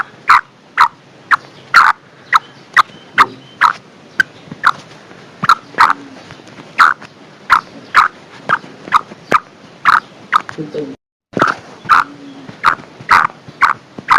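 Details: A female black francolin's winter calling note, said to rouse and attract males. Brisk, raspy clucks repeat steadily about twice a second for the whole stretch, broken once by a brief silent gap.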